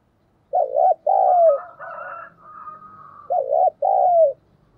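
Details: Thổ-style lure spotted dove cooing: two back-to-back two-part coos, each a dipping note then a longer falling note, with a higher, steadier tonal sound between them.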